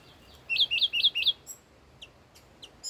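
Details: Red-whiskered bulbul, an old wild bird, gives a short song phrase of four bright hooked whistles in rapid series, then pauses while faint high-pitched chirps of other birds continue.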